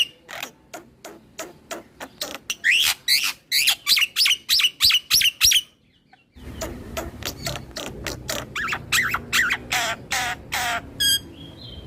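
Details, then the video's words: Rolling, unbroken song from a head-bobbing black-winged starling aimed at provoking other starlings: ticking clicks lead into loud buzzy repeated phrases, a short silence, then more clicks and warbled notes over a faint hum. "Kicauan Jalak Nusa / Jalak Putih Full Ngeroll Manggut - MAnggut Bikin Jalak lain Emosi"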